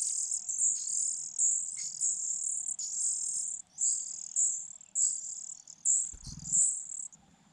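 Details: Four Fujian niltava chicks in a nest hidden among grass beg while being fed, shrill high squealing bouts lasting about a second each, with a brief low rustle near the end.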